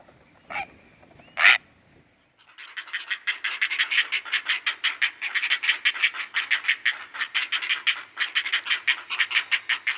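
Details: Great blue heron: two harsh squawks open the recording. Then comes a long, fast run of rough, clipped notes, about three per second, continuing steadily to the end.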